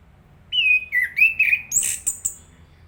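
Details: Chestnut-capped thrush: a few clear, level whistled notes, then a burst of high, shrill, scratchy notes and two short closing chips.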